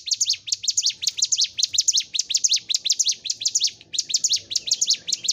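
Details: Bar-winged prinia (ciblek gunung) singing energetically for caged-bird training: fast runs of high, squeaky chirps repeated in rhythmic groups, one short break before resuming.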